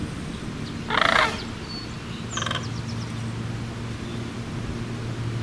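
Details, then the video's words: One short, loud, rattling sandhill crane call, followed about a second later by a fainter echoing reply, with a steady low drone beneath. "Sandhill Cranes Calling"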